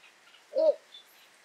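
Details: A rare Little Bittern, a tiny heron climbing in a broad reed bed in the Netherlands, gives a single deep, short, barking croak, a low hollow 'hogh' against a quiet background.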